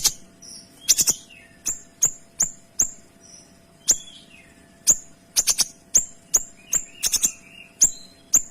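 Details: Kinoy singing a dense sequence of bright, sharp notes fired rapidly and cleanly for tutoring: piercing high clicks roughly every half second, some doubled or tripled, mixed with short lower whistled slurs.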